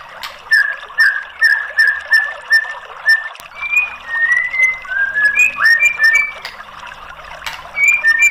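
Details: White-rumped shama singing, used as a lure to get a bird that has stopped singing to answer. A quick series of short, even whistles, then varied slurred notes at higher and lower pitches, with faint high ticks.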